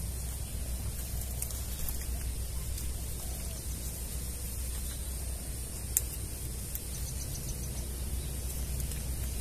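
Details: Low static hiss and rumble with a single sharp click, and no animal sound.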